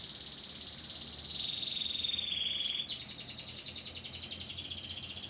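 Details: White crested canary singing: a steady high trill, then a lower whistled roll near the middle, then a dense buzzy roll of fast repeated notes to the end.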